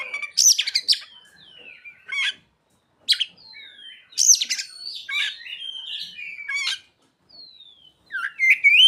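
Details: Oriental magpie-robin singing mimicked ciblek and sogon phrases: sharp high chips and clicks mixed with thin descending whistles, loud bursts broken by brief silences, ending in a rising whistled note.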